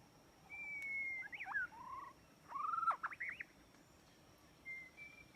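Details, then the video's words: White-rumped shama song played as a trap lure: a level whistle, then two bursts of rapid warbled, looping notes with a brief pause between, and a final short whistle, over a constant thin hiss. "Jebakan burung murai batu"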